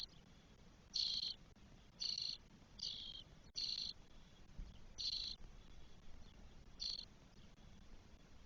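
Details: Spotless starling nestlings, four chicks twelve days old in a nest in Spain, 1 June 2022: six short hissy, rasping bursts, each about half a second long, at roughly one-second intervals over a quiet background.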